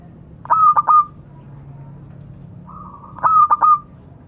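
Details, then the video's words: Local zebra dove calling its companions: two bursts of three quick stuttered coos with a brief rolling trill, the second preceded by a soft rising hum, nearly three seconds apart. "Suara burung perkutut memanggil kawan."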